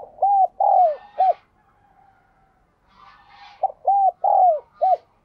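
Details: Cooing of a spotted dove, played to make captive doves start cooing: two phrases of four soft, hollow notes, each with a drawn-out, falling third note, separated by a pause of about two seconds.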